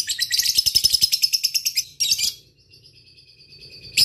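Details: Lovebird in ngekek style, calling a rival: a short burst of quick shrill chatter lasting under two seconds, a second brief burst, then a thin, faint whistle and a final sharp note.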